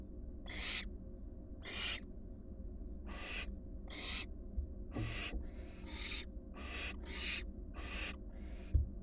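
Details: At a nest box, four wild barn owl fledglings produce a run of about a dozen rough, hissing screech bursts, sometimes in quick pairs, with a faint low hum and a single knock near the end.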